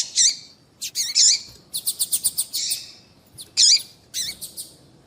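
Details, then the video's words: Female seedeater (papa-capim) call to set males singing: loud high chirps with wavering lower tones, a quick run of short ticks in the middle, then two more strong chirps. "Piado de fêmea de papa capim vai deixar seu papa capim cantando Muito RÁPIDO !"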